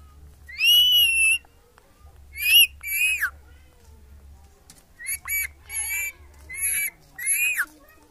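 A rose-ringed parakeet talks in bright, nasal, harmonic-rich bursts, about eight short word-like syllables in eight seconds, with a low hum underneath.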